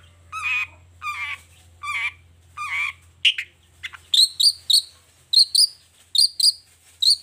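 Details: Long-tailed shrike singing in the morning, showing off its repertoire: four drawn-out, wavering nasal notes, then a rapid series of high, sharp, ringing double chips.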